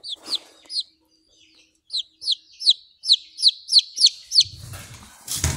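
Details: Buff Orpington chick, hatched 17 April 2023 and recorded 28 April 2023, giving loud, high, downslurred peeps in a steady run of about a dozen, followed by rustling and handling noise at the end.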